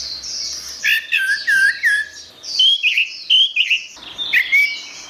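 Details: Orange-headed thrush (anis merah) in gacor masteran song for training birds: loud clear whistled phrases with looping, wavering notes, repeated in short bursts with brief gaps, some high twittering above.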